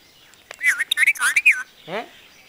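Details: Talking parrot said to speak Punjabi sentences: a quick run of rasping, word-like syllables with bending tones, followed by a brief lower, voice-like sound.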